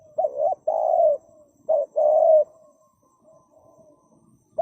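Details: Spotted dove calling in paired phrases of a bent double coo and then a long level coo, repeated twice, with faint quieter coos trailing afterward.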